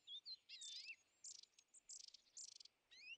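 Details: European greenfinch at winter feeders, aggressive toward tits, sparrows and nuthatches; loud harsh buzzy bursts alternate with rising whistled notes and quick chirps, about six bursts in three seconds.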